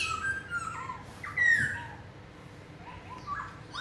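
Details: Black-throated laughingthrush, a captive bird with a loud wild-type voice; short bright whistled phrases, some rising and some falling, delivered in quick bursts with brief pauses between them.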